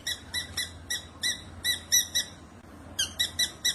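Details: Wild black drongo giving quick runs of bright, ringing notes, each run of four to six notes, repeated with short pauses and growing louder toward the end.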